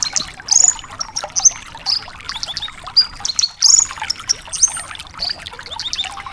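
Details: Javan bush lark singing a lively, busy song of high chirps, short whistles and buzzy notes, rapid and varied, with no pauses.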